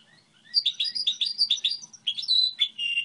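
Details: Model song of a goldfinch hybrid: rapid rolling twitter of repeated chirps, then longer clear whistled notes with a buzzy ending.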